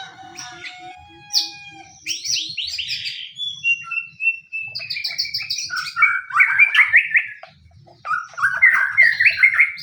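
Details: White-rumped shama song played to provoke other shamas into singing: a long clear whistle, then bursts of high slurred notes, a sustained whistle, and rapid chattering phrases dropping lower toward the end.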